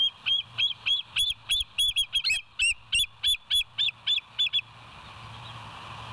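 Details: West End bald eagle on a live nest camera, 07/09/2023, 06:24: a long, insistent chatter of high, piping kleek-like notes, about three a second for over four seconds, some doubled, then fading into low hum.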